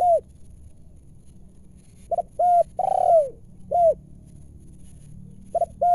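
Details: Spotted dove, a wild bird drawn down during a trapping session, giving scattered mellow coos, single or paired short notes and a longer drawn coo, separated by pauses of about a second, with little else audible.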